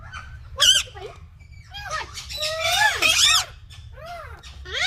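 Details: Green talking parrots screeching loudly: harsh arched squawks with strong stacked overtones, several overlapping calls in quick bursts through the middle, then curved falling shrieks.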